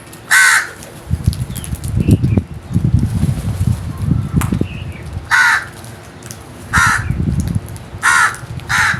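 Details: Crows giving harsh, grating caws, one early then a run of four spaced about a second apart, with low rustling and rumbling noise between calls.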